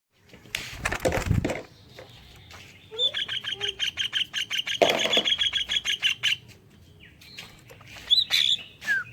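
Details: Greater green leafbird singing a song filled with kingfisher-style notes, played to lure other leafbirds into singing: a fast, even trill of sharp repeated notes in mid-clip, with loud knocking thuds before and during it.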